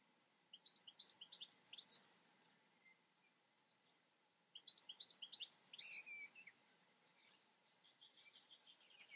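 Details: Goldfinch singing two bursts of fast, liquid, high twittering phrases with chattering notes, separated by a short pause with a few soft chips, then quieter trailing twitters.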